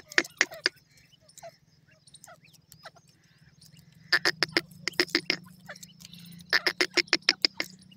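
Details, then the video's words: Grey francolin, locally teetar, calling naturally: loud, harsh notes in rapid bursts, a short run of three at the start, then two longer series of about seven to eight sharp notes each, over a low steady hum. "perdasi teetar ki awaz,partridge natural calling"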